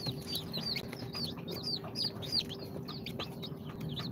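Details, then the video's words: Young chicks of Sultan, Golden Sebright, Cochin and booted breeds, hatched in an incubator and now on day 2, giving quick loud piercing cheeps that drop in pitch, closely packed, over a low hum. "Chicks hatched from the incubator- Day 2 - Cute chicks🐥 - كتاكيت"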